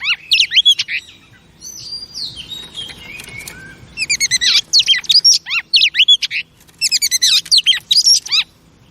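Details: Female oriental magpie-robin singing to rouse male birds: sharp, rapidly repeated whistled notes in bursts, a softer gliding phrase near the start, then loud staccato runs separated by short gaps.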